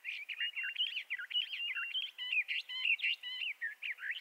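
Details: Bendire's thrasher singing choppy, musical phrases of slurred whistles and short chirps, delivered in quick bursts roughly twice a second.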